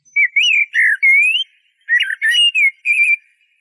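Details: Eurasian blackbird song in two rich, warbled phrases of swooping flute-like whistles, each several notes long and separated by a brief pause.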